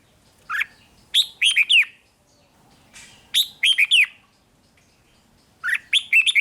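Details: Red-whiskered bulbul from Thailand, a caged bird whose song is played to make others excited; three rollicking phrases of chirped and warbled whistles, each about a second long, coming every two seconds or so.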